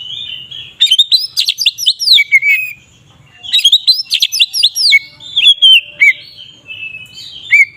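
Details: Ngeplong-style Oriental magpie-robin song, meant to provoke rival magpie-robins into aggression: two bouts of rapid, tumbling whistled phrases with quick up-and-down slurs, separated by a short silence, ending in scattered sweet notes.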